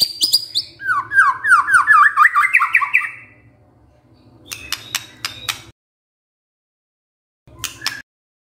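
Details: White-rumped shama lure song meant to provoke other birds into singing: a quick run of descending slurred whistles, then a few sharp clicking notes and a short pause before another brief burst.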